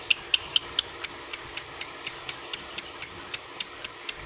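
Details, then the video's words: Lovebird, adult, as used to excite fellow lovebirds: piercing short chips, a few quick doubled notes at first, then a regular beat of about two per second. "PERANGSANG PANCINGAN LOVEBIRD DEWASA"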